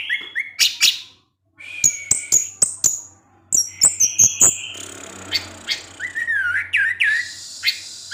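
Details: Orange-headed thrush singing in the evening, its song provoking other thrushes to respond; varied phrases of high whistles, slurred notes and sharp clicks, with rising and falling trills and brief pauses between bursts.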